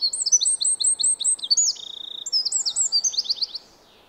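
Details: High, rattling trills and quick chirping phrases from a Eurasian wren spending the winter in a yard alongside great tits, robins and sparrows; the song fades out near the end.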